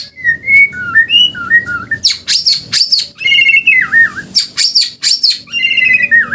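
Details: White-rumped shama singing in the 'muntah beling' style: clear, wavering whistled phrases at middle pitch are broken by loud, harsh, rasping bursts. Whistles and rough notes alternate quickly over several seconds.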